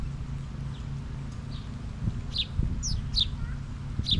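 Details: Sparrows crowding a backyard feeder in numbers, where they are not native; several short, sharp, descending chirps come in the second half over a steady low rumble and rustling.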